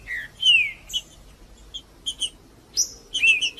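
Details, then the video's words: Green-winged saltator (trinca-ferro) singing in the male 'macheando' style, used to warm up other birds to sing: short loud whistled slurs, some falling from high to mid pitch, mixed with sharp high chips and gaps of silence. "Trinca-ferro Macheando com Trinca ferro cantando Para Esquentar Trinca ferro"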